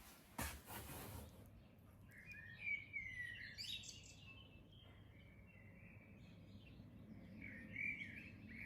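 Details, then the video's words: Wild common blackbirds singing outdoors on a hot sunny day: faint, mellow whistled phrases, wavering and slurred, with pauses between them, after a sharp knock at the start and a low indoor hum. "Oh, les petits oiseaux, écoutez-moi ça. Petits merles, j'adore. J'adore les petits merles."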